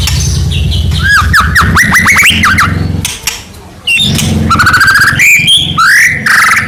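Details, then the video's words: White-rumped shama of the Medan type, a constantly singing bird with full filler phrases, used as a lure to make other shamas sing; rapid rising and falling whistled notes in varied bursts, with a steady low humming noise underneath. "murai batu gacor AMPUH buat PANCINGAN murai batu agar bunyi JADIKAN burung murai gacor EMOSI NYAUT"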